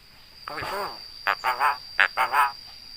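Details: Javan myna that imitates human speech, such as greetings and coughing, utters harmonic, voice-like syllables: one drawn-out sound, then a burst of short grouped syllables, over a steady high background tone.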